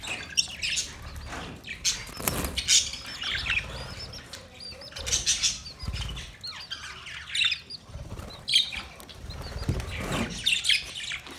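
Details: Budgerigars making a mating sound: scattered bursts of squeaky warbling and rising chirps separated by quieter gaps, with occasional wing flutters and a low background rumble.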